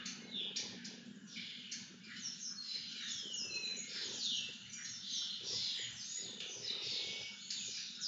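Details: Several lesser kestrels begging as they are fed, a busy overlapping chorus of scratchy chirps, harsh screeches and short descending whistles without pause.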